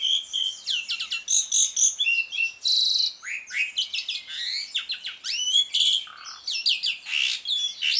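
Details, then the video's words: Ngriwik-style song of an Asian pied starling, played as a lure for birds that have stopped singing: dense, unbroken chatter of sharp whistles, rapid trills, harsh buzzy bursts and falling slurs, loud throughout. "JALAK SUREN NGRIWIK, PANCINGAN JALAK SUREN MACET BUNYI"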